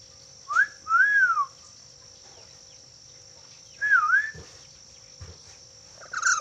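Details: Black-capped lory whistling two short clear, bouncy whistle phrases near the start and another about three seconds later. A few soft knocks and a steady high electronic tone sit in the background.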